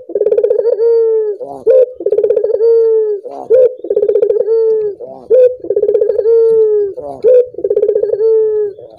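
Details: Collared dove calling to get other doves singing: a short rising note, a quick rolling burst of pulses, then a long, drawn-out, slightly falling coo, the phrase repeating about every two seconds.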